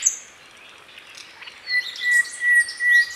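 A flycatcher gives quick, high chirps and short twittering phrases in rapid bursts, over a thin, steady whistle-like tone and light background noise.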